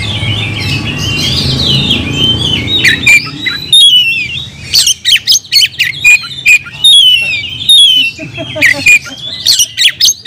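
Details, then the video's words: Oriental magpie-robin song: a wavering, softer warble at first over low rumble, then loud, clipped whistles and sharp chips repeated about once a second. "kacer gacor nagen sampe leklok"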